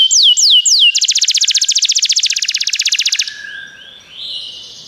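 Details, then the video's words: Domestic canary singing, offered as a recording to get a canary singing: three falling whistles, then a rapid even rattle of notes for about two seconds, fading into soft low warbles. "O som de um canário é eficaz para o seu canário cantar"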